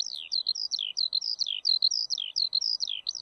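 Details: Eurasian skylark in a continuous, high-pitched warbling song of fast twittering trills and slurred whistled notes, closely packed with no pauses; the background is otherwise quiet.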